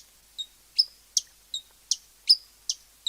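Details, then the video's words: Hummingbird giving sharp, high, clipped chip notes, repeated about every half second in a steady series, with quiet background and no other clear sounds. "SONIDO DEL COLIBRI// ZUMBIDO// SOUND OF THE HUMMING BRI // BUZZING OF THE HUMMING BIR"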